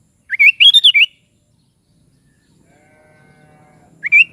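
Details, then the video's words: Sooty-headed bulbul song: a bubbly, warbled phrase of quick rising and falling whistled notes lasting under a second, then silence and a faint low hum before a second phrase begins. "SUARA BURUNG KUTILANG"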